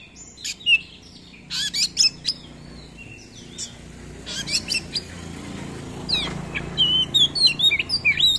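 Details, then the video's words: Oriental magpie-robin singing actively, a lure recording with long rolls and many fill-in phrases for tutoring other birds: varied high whistles, sharp chirps and slurred notes in bursts, with a pause mid-phrase before quick rising whistled notes. "Pancingan Kacer Gacor ROLL Panjang-Panjang, Dan Lagu Isian Banyak, Cocok Buat Masteran Kacer Anda."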